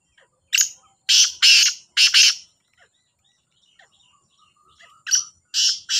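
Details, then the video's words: Black francolin, locally kala Sindhi teetar, two birds calling in competition: a phrase of four harsh, rasping, broadband notes in quick succession, a pause of over two seconds, then another grating phrase of three notes. "2 تیتروں کا بولائی کا مقابلہ | kala Sindhi Teetar ki Awaz | Black Francolin Voice"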